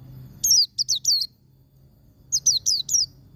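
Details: White-eye giving 'ngalas' wild-type song meant to provoke captive birds: two short bursts of three or four sharp, high, down-slurred notes, separated by about a second of quiet with low background hum.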